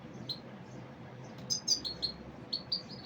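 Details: Common Iora giving brief, bright high-pitched chirps, spaced singly and in small pairs, over a quiet background hum.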